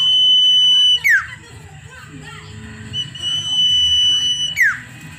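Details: Common iora in lively song, sustaining a clear, level whistle before a quick downward slide, repeated twice within five seconds over faint voices and room noise.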